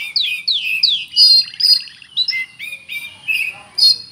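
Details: Caged-style oriental magpie-robin song with cricket mimicry: three falling swept whistles in quick succession, then mixed chirps, a soft rattling pulsed passage and scattered high whistled notes.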